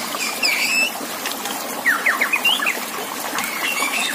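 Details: White-rumped shama song recorded for training contest birds, set against running water: a drawn whistle early, then a quick series of sharp upward-flicked notes mid-clip, with softer twitters near the end.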